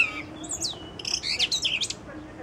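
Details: Thrush singing from a branch: short bursts of high, squeaky, chirping notes, some rising and some falling, with brief gaps between phrases over a steady background hiss.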